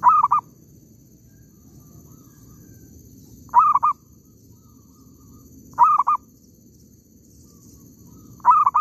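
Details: Zebra dove in an oil palm plantation, recorded during bird catching, giving four evenly spaced calling phrases a little over two seconds apart, each a long coo broken into two rapid follow-up notes; quiet surroundings.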